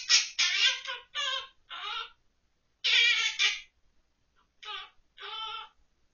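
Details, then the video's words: Pet monk parakeet, recorded indoors in October 2023, sings children's songs from memory, including Ppoppoppo and San Tokki. Its voice comes in raspy, buzzy, voice-like syllable bursts, in two groups of four and then two more, with quiet pauses between. "퀘이커앵무 꾸꾸 l 생각나는 대로 부르는 꾸꾸표 동요"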